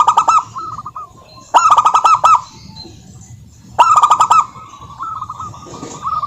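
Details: Local zebra dove song used as a lure for doves to sing; three bursts of harsh buzzy notes, each followed by a short rolling trill of coos.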